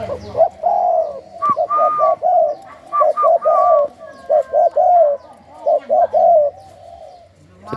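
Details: Spotted dove of the Thai 'sai khu ang' song line, kept by a breeder selling its young: low mellow cooing phrases in quick groups, with brief higher clear notes over them, pausing between bursts, and a faint background of other birds.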